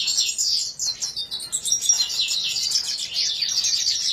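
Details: Red siskin (Spinus cucullatus), linked to Venezuela, gives a continuous, high-pitched twittering chatter of quick chirps and buzzy notes with no pauses.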